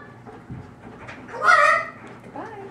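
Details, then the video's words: Pet hyacinth macaw, which talks to others but stops around its owner, speaks one loud, hoarse, speech-like phrase (it says things like "want a nut", "bye-bye", "I love you"), then a brief rising note, over quiet room murmur. "Hyacinth Macaw Talking Bird"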